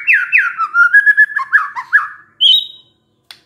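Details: White-rumped shama, a stressed bird prompted to sing by a lure recording: clear whistled notes sliding down, then a run of rapid rolling phrases, ending in a higher sustained whistle after a short pause.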